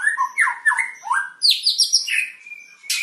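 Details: Medan long-tailed white-rumped shama during pairing for breeding: several sliding, downslurred whistles, then a high fluty run, a long level whistle and a sharp buzzy burst at the end.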